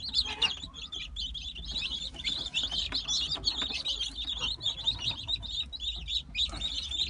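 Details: Many Brahma chicks in light, buff, gold and dark colour varieties, kept for sale, cheeping together in a steady crowd of shrill, short peeps that blur into a continuous high chatter over a soft low rumble.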